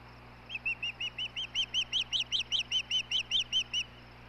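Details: Osprey at a nest on the Hellgate nest camera in Montana, recorded 17 May 2016 while the male brings dinner to the female: a steady run of about fifteen sharp, high whistled chirps, evenly spaced and slightly rising in intensity, over low steady hum.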